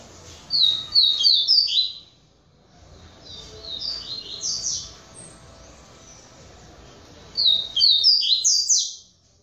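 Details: Captive double-collared seedeater of the Polish song style, a breeder's singing bird, gives three bursts of quick descending twittered notes, each about a second long, high and bright, with quieter warbling between bursts.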